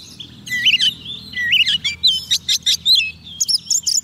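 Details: Soft-food-fed white-rumped shama singing to lure wild birds: a continuous, fast stream of rich whistles, wavering slurs and scratchy trills, getting choppier with rapid short notes toward the end, low hum behind.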